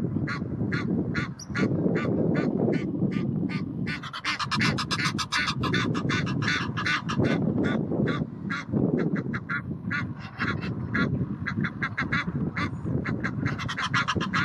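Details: Several aggressive Egyptian geese defend territory at the Blies in Ludwigshafen am Rhein; long, dense volleys of harsh, hissing honks and cackles, overlapping at times, over constant low-pitched background roar.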